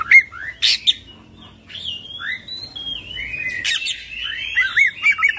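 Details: Kacer, the Oriental magpie-robin, in full isian ngerol song. Sharp chirps open the passage, then long gliding whistles rise and fall, ending in quick twittering notes with little background noise.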